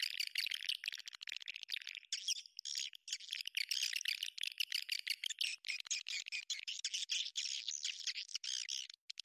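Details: Swiftlets in a lure recording meant to draw them into a bird house: dense, unbroken high chattering and buzzy twitters from many birds, overlapping bursts with only brief gaps throughout.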